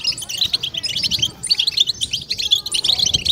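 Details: Brief burst of 'bitbita' goldfinch chorus: clusters of sharp, tinkling twitters from European goldfinches, pulsing in short bouts about every half second.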